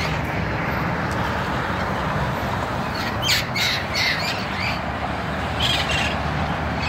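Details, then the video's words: Parrots at sunset, a great many of them: harsh squawking bursts flare up midway and again near the end, heard over a constant loud roar of background noise. "el atardeser de los mil LOROS"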